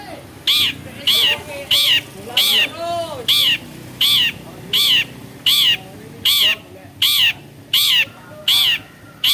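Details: Long-tailed shrike, a clever bird able to imitate many other birds' calls, giving loud harsh rasping notes repeated steadily about every 0.6 seconds, each with a buzzy wavering tone; faint background hum.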